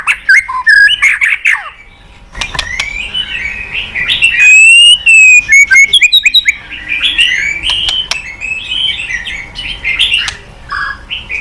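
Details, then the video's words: Long White-rumped shama lure song: rapid chirps, a pause, then flowing whistled phrases and a quick repeated stutter of notes, ending in varied warbling. "Pancingan MURAI BATU MALAS BUNYI Sekali putar langsung NYAUT ,GACOR & BONGKAR ISIAN"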